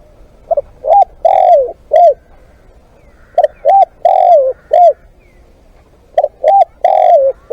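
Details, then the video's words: Spotted dove calling in a live-decoy session: three phrases, each two short clipped coos, a long drawn falling croon and a final coo, repeated roughly every three seconds over a quiet background. "เสียงนกเขาใหญ่ ต่อสด"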